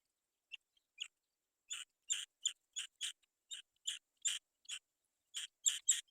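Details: Young black-winged kites waiting for their mother to bring food give rough, wheezy rasping notes, starting sparse and then quickening into irregular runs of short calls.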